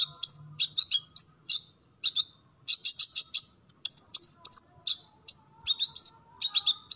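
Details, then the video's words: A sunbird known locally as kolibri ninja sings a full repertoire, used to train kept birds. Clusters of thin, very high chips and squeaks come in quick bursts with brief pauses. "Kolibri Ninja Gacor Full Materi"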